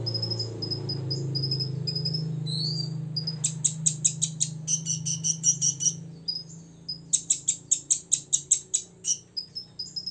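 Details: Olive-backed sunbird aged six years in full song meant to provoke rivals: short high whistles and a dipping note, then long runs of sharp repeated chips growing louder, with a constant low humming background.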